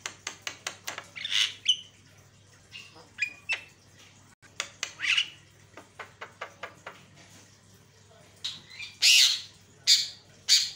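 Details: Javan myna in full song, used as a lure to provoke rival mynas: rapid clicks and ticks, short whistled notes and loud harsh squawks in uneven bursts, with a constant low hum behind.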